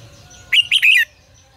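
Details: Red-whiskered bulbul in the 'ché căng lửa' song style, used as a lure for training singing birds: a half-second burst of three quick, rich, slurred whistles rising and falling, over a quiet low background rumble.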